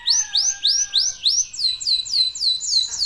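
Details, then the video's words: Clear, loud local canary song meant to spur other birds into singing: evenly spaced, sweeping whistled notes about three per second, speeding into tighter overlapping phrases. "KENARI LOKAL GACOR TOTAL, SEMUA IKUTAN BUNYI..PANCINGAN AMPUH BIKIN CEPAT GACOR"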